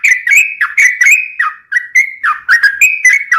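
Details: Sooty-headed bulbul song of rapid chirpy whistles, each note swooping down then up, delivered in an even fast rhythm with one short gap.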